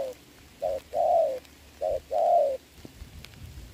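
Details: Spotted dove, decoy and wild bird matched in rain on 26 November 2022, gives two low paired coos, short then long and falling, before quieter rain-like noise.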